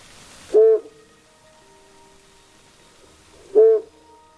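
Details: A flammulated owl (Psiloscops flammeolus) gives two single low, mellow hoots about three seconds apart, each short and slightly burry, with faint music humming underneath.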